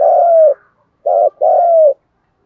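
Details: Lure cooing of a spotted dove in the thúc gù giọng thổ style, for attracting wild doves: a long steady coo, a pause, then a short hoot and another long slightly falling coo.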